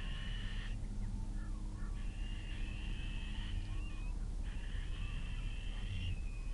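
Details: Evening feeding of two fluffy Little owl fledglings that have just left the nest, Kalmthout, 11 June 2022, food not shared evenly; three drawn-out rasping screeches, each lasting one to two seconds, separated by short pauses, over low-frequency rumble.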